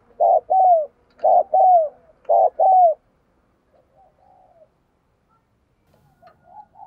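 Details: Decoy spotted dove in urging "thúc gù" cooing, meant to set other birds calling. Three loud paired coos, short then long and falling, about once a second, then faint soft cooing.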